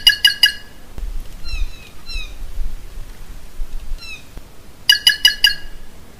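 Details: Red-cowled Cardinal, common in the Caatinga of Alagoas, Brazil, singing quick bursts of three or four bright, clipped notes separated by short, sliding whistles, over a low background rumble.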